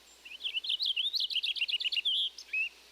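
A Purple Finch gives a rapid, rich warble of slurred notes rising and falling, lasting about two seconds, then a short final phrase.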